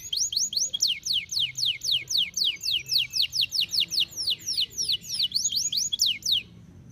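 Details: Canary, described as over birahi (strongly in breeding condition), singing a loud phrase of sharp descending whistled notes repeated about four to five times a second, steady for six seconds before stopping.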